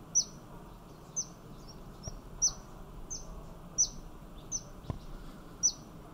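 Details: Thin, piercing high notes from a Yellow-bellied fairy-fantail in Thailand, each a quick downward slur. About eight come at irregular intervals of half a second to a second, over faint background noise and a few soft clicks.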